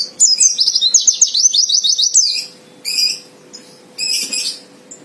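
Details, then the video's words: White-eye fighter song used to provoke a rival; about two seconds of rapid, rhythmic high twittering, then two harsh, buzzy rasping notes after a pause. "Suara Pleci Fighter Memancing Lawan Agar Cepat Nembak"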